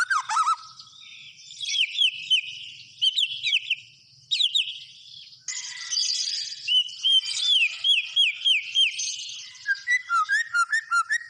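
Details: Continuous gacor song of a white-rumped shama: dense mix of high chattering, buzzy passages and clear whistled notes repeated in runs, closing with low bouncing warbles.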